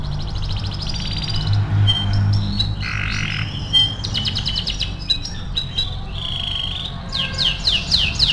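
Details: Canary singing energetically as a training recording for other canaries: a varied song of buzzy rattles, fast pulsed trills, a lower harsh buzz and steep downward-sweeping whistled notes repeated quickly near the end, over a steady low hum.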